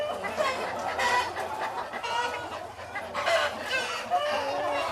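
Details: Several chickens calling together in a farm henhouse, cheeping and cackling: overlapping harsh, harmonic bursts and thin squeaky notes form a continuous, busy chorus.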